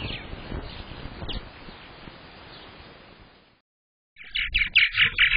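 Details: Purple martin at a nest box camera, season two, on 15 May 2022 when the first egg was laid, gives a run of rich, gurgling chirps in quick bursts after a pause, following soft rustling and background noise.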